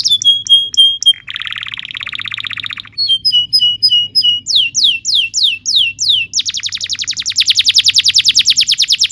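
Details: Canary song made for training young canaries: a repeated high note, a lower buzzy roll, short chips, descending whistled sweeps, then a long fast trill.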